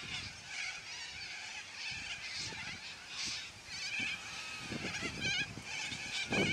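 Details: Yellow-crested cockatoos in a noisy flock, squawking loudly: harsh, grating screeches overlap continuously, with a louder raspy burst near the end and scattered low knocks or rustling below.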